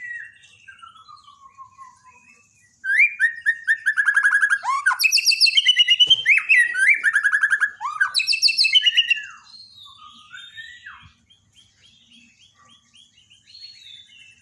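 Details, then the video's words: White-rumped shama, Borneo, used in daily song training: varied loud burst of rich whistles, rapid chirps and trills between quieter phrases, the busiest stretch in the middle, then softer notes trailing off. "borneo dokter burung murai mandek (Masteran harian)"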